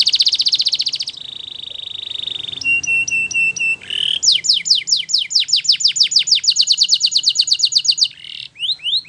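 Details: Belgian canary training song for young canaries, beginning with a buzzy rattle and a steady tone, then spaced piping notes, followed by a long run of rapid descending whistled notes and a few rising ones.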